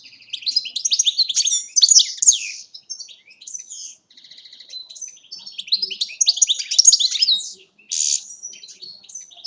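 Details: A European goldfinch in Agrinio, Greece, sings a fast, liquid jumble of tinkling twitters and buzzy trills in two bursts, high-pitched and bright, with no other sounds.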